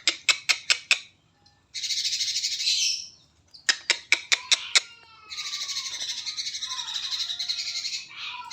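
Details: Sooty-headed bulbul song meant for training other birds: bursts of sharp staccato clicks alternating with long stretches of high, buzzy, scratchy chatter, with brief gaps between phrases.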